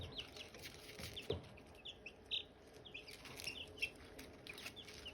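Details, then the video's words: Silkie chicken chicks and hatching eggs: scattered thin, high chirps, some slurred upward, with a soft tap and light rustling over a steady hiss. "Silkie chicks chirping, Hatching eggs chirping sounds"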